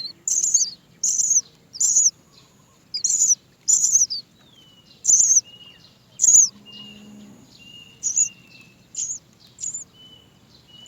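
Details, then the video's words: Baby Great myna in its nest begging its mother for food, giving a steady series of high, squeaky, slightly buzzy cries about twice a second, spacing out and softening toward the end. "Baby bird Great myna cries for mother to feed."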